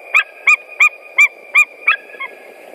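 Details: Yelping calls of white-tailed eagles at a Latvian nest, March 2018, while hay is carried in ahead of mating: six loud, evenly spaced clipped notes, then a softer final one, against a faint hum.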